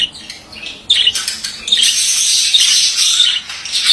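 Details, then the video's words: Male budgerigar starting with scattered scratchy notes, then breaking into a continuous, busy warbling chatter of rapid rasping and twittering sounds that runs to the end. "Erkek muhabbet kuşu sesi"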